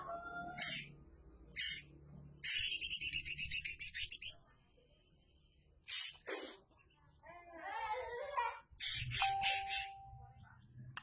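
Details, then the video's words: Greater green leafbird song, loud bursts of rapid high harsh notes and trilled chatter in repeated phrases, with a brief pure whistled tone near the end and low background hum between phrases. "Cucak ijo Kicau Mania"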